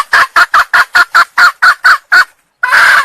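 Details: Sumatran hen red junglefowl lure call: ten rapid, evenly spaced harsh clucks, a short gap, then a drawn-out hoarse note starts.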